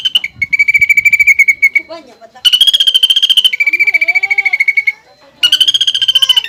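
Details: Greater green leafbird in full song, with a filler of sounds copied from the pelatuk bawang. Loud, rapid pulsed trills switch between a higher and a lower pitch in long runs, broken by brief pauses and softer sliding notes.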